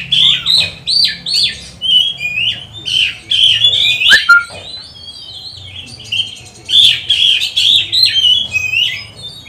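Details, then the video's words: Oriental magpie-robin in loud, varied song used to rouse other magpie-robins to aggression; rhythmic bursts of whistles, chatters and harsh notes, a sharp click near the middle, with brief quiet pauses. "Pancingan kacer gacor nembak untuk melatih kacer di saat lockdown, bongkar isian kacer cepat emosi"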